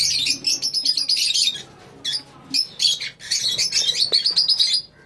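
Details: Several lovebirds in a colony chattering at once, giving sharp high chirps and twittering notes that overlap into a continuous shrill chorus, with a short pause in the middle.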